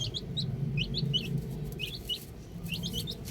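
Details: Baby chicks outdoors, a few thin high peeps in small clusters, partly masked by a strong low hum and rustling.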